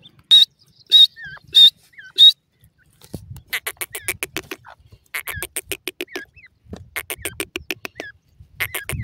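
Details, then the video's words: Grey francolin, dakhni desi type: four loud, sharp, high whistled notes in quick succession, then rapid bursts of buzzy, clicking chatter with short twittering notes between. "dakhni desi teetar ke awaz"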